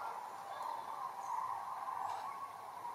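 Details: A migrating flock of common cranes flying south over Essen-Steele, Eiberg and Horst, Germany, on 24 October 2021, fills the air with a steady, overlapping chorus of rolling, trumpeting calls, mid-pitched and distant.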